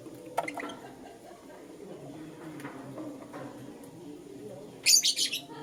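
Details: Lutino lovebird in the morning: after quiet low background noise, a rapid run of four or five loud, shrill chirps near the end.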